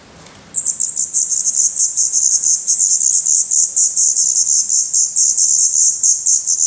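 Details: Black redstart nestlings with open eyes, in a nest in Portugal on 16 May 2020, filmed close up: after half a second of quiet, a dense, shrill, very high chorus of rapid pulsing notes runs without a break.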